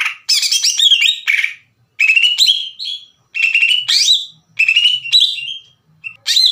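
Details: Lively Greater green leafbird song meant to provoke rival leafbirds: dense harsh chattering phrases mixed with bright rising whistles, delivered in loud bursts separated by brief silences.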